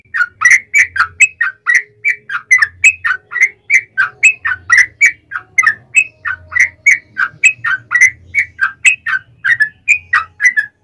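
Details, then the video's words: A yellow-vented bulbul (trucukan) pours out a long ropel-style fighting song, used to make wild bulbuls answer: continuous chattering run of bubbly two-part whistles, several per second, over faint intermittent low hum. "KICAU SUARA trucukan gacor TARUNG ROPEL PANJANG"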